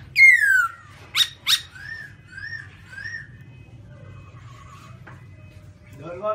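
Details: Black-throated laughingthrush with white cheeks: a loud falling whistle, two sharp clipped notes, then soft repeated arched whistles that fade into quiet.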